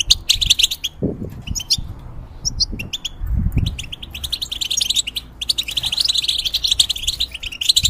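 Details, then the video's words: Caged European goldfinch, a moulting bird used to tutor young hybrids, singing a fast, liquid twittering run of high chirps and trills in bursts, with a short pause mid-phrase and low thumps and rustles underneath. "The Talk And Sounds Of The Goldfinch"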